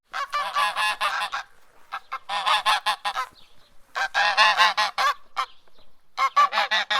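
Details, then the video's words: An angry farm goose honks in rapid bursts of harsh, nasal notes, four or five strung together, with short pauses between the runs. "Goose Honking Noise"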